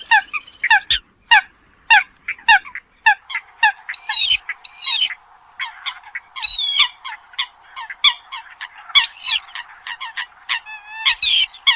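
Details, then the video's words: Eurasian coots call in a steady stream of clipped nasal honks, about one or two per second, mixed with longer squealing, down-slurred notes and a faint hiss behind. "tiếng chim sâm cầm"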